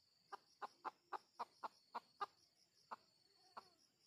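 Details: Junglefowl heard during a lure session for wild birds: a run of short, sharp clucks, about eight in quick succession, then two more spaced out, each a brief mid-pitched knock over a faint steady high hiss.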